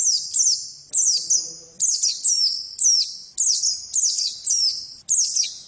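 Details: Female white-eye singing quick pairs and runs of high, falling chirps in close succession, their echoing tails overlapping.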